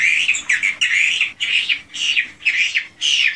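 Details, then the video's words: Swiftlet chirps recorded in a swiftlet house, original calling sounds: a string of short, buzzy, high chirps repeated roughly once per second, with brief gaps between bursts and a faint background hum. "REKAMAN SUARA BURUNG WALET ASLI DI RBW SENDIRI"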